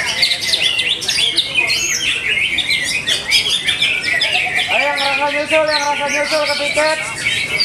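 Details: Contest greater green leafbird in Bekasi, Indonesia, pouring out a rapid, varied stream of high chirps and warbled whistles, while people shout loudly through the second half.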